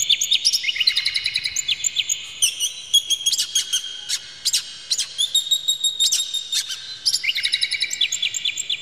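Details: Oriental magpie-robin in full song, played as a lure to make other magpie-robins excited and sing: a continuous stream of harsh, clear, fast-repeated chirps, rattles and piercing whistles with quick changes of phrase and almost no pauses.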